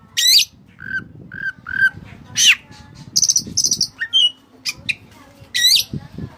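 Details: Oriental magpie-robin, white-breasted form, singing in a lively song with Cililin-style fill: steep upslurred whistles, short steady whistled notes in a row, then buzzy high trills and brisk chirps, with a faint low hum behind.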